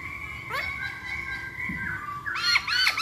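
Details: Masked laughingthrush song played as a lure to make birds sing: level harmonic whistles and a short downslur, ending in a burst of loud, ringing, chattering notes.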